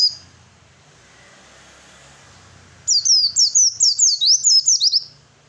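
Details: Fighting song of an Oriental white-eye, used to provoke rival birds to respond; after a quiet start, a fast run of about ten high, slurred whistled notes, each sweeping sharply, with faint low background hum.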